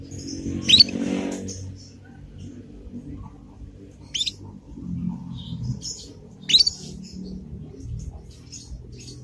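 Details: Young Yorkshire canary learning the chirping ngriwik song, used as a lure so other canaries answer and learn. High, sharp chirps sound at irregular intervals, with softer twitters between them and a low background hum.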